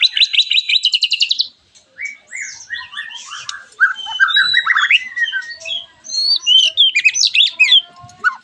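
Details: White-rumped shama song meant to prompt other shamas to sing, opening with a rapid buzzy trill, then a pause and a busy mix of whistles, chips and rising slurs.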